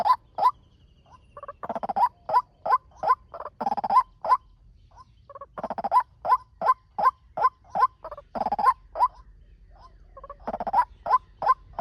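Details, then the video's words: Male white-breasted waterhen, fast lure call for training birds or speaker trapping: rapid rising nasal notes, nearly three a second, broken by bursts of harsh, grating chatter, then more quick rising notes. "Tiếng chim quốc trống mồi tốc độ"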